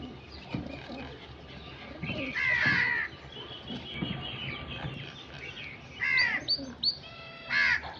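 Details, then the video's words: Crow calls: a few drawn-out, grating caws spaced several seconds apart, with a lower soft rumble of background noise between them. "Crow sound effects"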